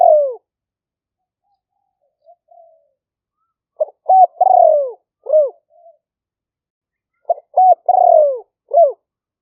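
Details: Spotted dove lure recording from Roi Et, Thailand, captured live on a phone amid rainy-season rice fields and sung in the liu fueang style. Repeated three- to four-note coo phrases, each ending in a drawn-out falling note, come every few seconds.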